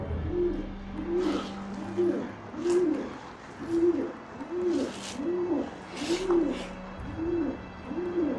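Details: Many pigeons inside an abandoned seminary nearly 400 years old, explored by day, droppings on the floor; soft low hollow coos repeated roughly every second, over a steady low musical drone and faint rustling.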